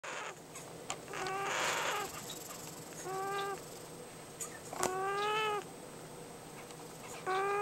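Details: Emerald toucanet making nesting noises: four nasal, croaking calls about two seconds apart, each rich in harmonics, over a steady background hiss.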